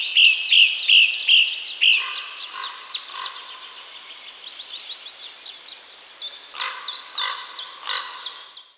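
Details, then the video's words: Song thrush in song in Poland: a phrase of five sharp repeated notes opens, followed by scratchy varied twitters, then a run of clipped notes repeated about every half second, over quiet background. "Song thrush / Drozd śpiewak"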